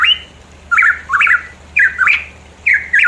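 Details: Pitohui recorded around mountains in East Java, played as a lure for song: bold, slurred whistles rising and falling in quick pairs, separated by brief pauses.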